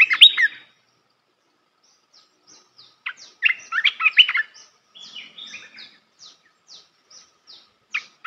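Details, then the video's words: Red-whiskered bulbul singing a melodious song used to train young birds: a short warbled burst, then scattered high chirps and a cluster of rich, rolling whistled notes, ending with soft repeated chips. "เสียงนกกรงตาแดงEp.168 เสียงหัดนกลูกเสอ เพลงเพราะ น่าฟัง"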